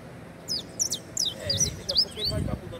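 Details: Saffron finch giving a short phrase of high, quick up-and-down slurred notes, about six in a row, with low murmuring voices beneath.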